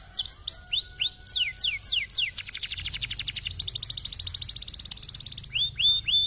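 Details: Canary singing a high-and-low (atas bawah) style song meant to stimulate silent canaries to roll: series of high swooping whistles, then long fast buzzy rolls before swooping notes return.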